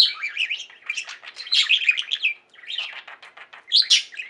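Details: Budgerigars in a domestic singing flock produce rapid chirping chatter, dense buzzy trills, a short gap midway, then renewed high tweets.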